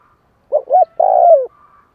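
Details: One full call from a spotted dove used as a decoy to rouse freshly caught doves: two short coos followed by a long, steady coo that drops at the end. Everything else is quiet.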